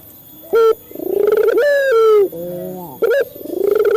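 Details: Male Barbary dove, a local captive bird used as a lure to train other doves to coo quickly: deep, low, drawn-out rolling coos with a short sharp note between phrases, each phrase swelling then falling off.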